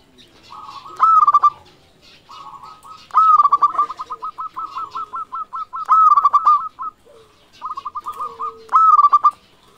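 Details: Local zebra dove in lively full song, used to stimulate other doves: soft purring notes leading into rapid bubbly cooing trills, rising to clear ringing peaks, repeated in four phrases.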